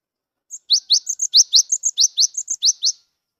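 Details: Recently caught Cinereous tit, gelatik wingko type, in full song used to encourage mute birds to sing: a brisk run of about fourteen notes, upslurred chirps interleaved with brief, higher level whistles, on a clean, quiet background.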